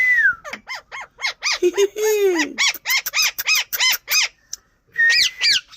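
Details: Indian ring-necked parakeet giving a rapid series of harsh, arched squawks, repeated several times a second, with a downward-sliding whistle-like note at the start and end and a few lower, drawn-out sweeping sounds in the middle.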